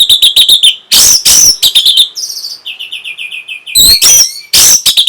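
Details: Lively orange-headed thrush song, played to stimulate breeding and a response. A staccato run of high chirps is broken by harsh rasping bursts. Soft rolling trills follow, then more loud grating notes and shrill whistles.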